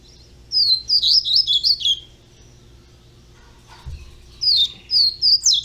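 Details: Young double-collared seedeater delivering a fast string of about seven high slurred whistled notes, then a pause with a soft knock, followed by a second burst of similar notes.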